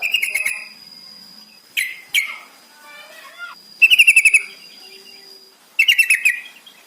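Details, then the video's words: Yellow-vented bulbul lure for making captive birds sing quickly: three lively bursts of fast, evenly repeated bubbly notes, about seven per burst, separated by a pair of sharp chirps and softer twitters, with a steady high tone behind. "Pancingan trucukan paling AMPUH bikin cepat bunyi"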